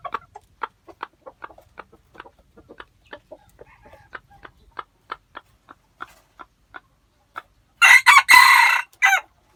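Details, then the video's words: White-eared decoy rooster praised for its fine crowing: a long run of soft, sharp clicking clucks, then one loud, harsh, broadband crow lasting about a second near the end. "Lau qaib dib dawb ntseg qua zoo heev-ไก่ต่อหูขาวขันเพราะมากที่สุด(เสียงขันอมตะ)"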